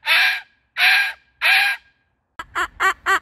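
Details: Pet Moluccan cockatoo making joyful sounds at a park in summer: three loud, harsh screeches, then a quick run of four shorter, nasal, wavering squawks.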